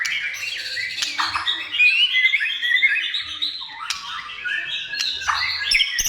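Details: White-rumped shama in lively song used to lure other shamas into singing: a flowing string of warbled and chattering notes with sharp click accents and a dip to lower whistles near the end.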